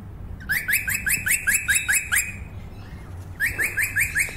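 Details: A wild Australian crimson rosella (Platycercus elegans) answering another bird's call before takeoff: a quick run of about ten sharp, rising chirps, a pause, then a second similar burst over a soft background hum.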